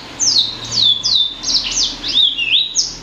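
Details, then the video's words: Blacksang, a blackthroat crossed with a sanger, uttering a rapid chain of high whistles that sweep steeply downward, about three each second, clear against a quiet background. "Kicau Merdu Blacksang Gacor"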